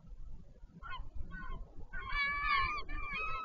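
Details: Wild northern royal albatross at Taiaroa Head, Dunedin, New Zealand, during a parent changeover on 14 February 2019: a few short nasal notes build into a long, loud, wavering harmonic bray, with wind rumble throughout.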